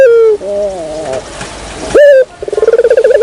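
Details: Ringneck dove lure call: a level coo that falls away, a wavering quieter phrase, then a sharp rising coo and a rapid pulsing, tremulous coo.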